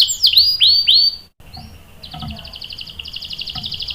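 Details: Canary song meant to prompt and tutor young birds: three loud swooping notes, a sudden short break, then softer fast buzzy trills at a steady high pitch.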